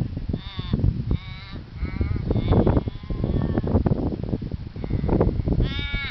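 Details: Australian raven at Lake Monger, Perth, Australia, giving a series of short nasal, wailing caws spaced roughly a second apart, partly buried under heavy low rumbling background noise.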